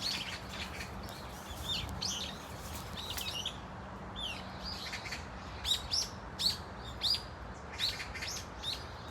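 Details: Brown-eared Bulbuls of a flock at Dunsan Grand Park: a jumble of high calls at first, then after a pause a series of separate sharp, loud squeaks spaced roughly half a second apart.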